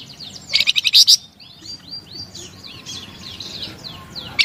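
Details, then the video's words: From a flamboyan bird: a loud, quick burst of high chirps, then softer scattered squeaky whistles, some rising and some falling. "SUARA MERDU DAN GACOR BURUNG FLAMBOYAN"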